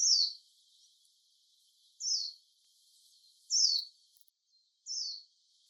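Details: Japanese white-eye in the wild, recorded with a compact digital camera on a walk: four clear, high, thin down-slurred calls repeated roughly every one and a half seconds on a clean, quiet background.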